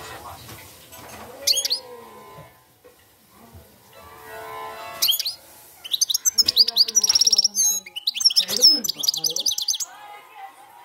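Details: European goldfinch singing in the field-style cante campero: after a quiet start, a burst of rapid, high, tinkling twitters and buzzy trills arrives mid-way over a background of music and low voices.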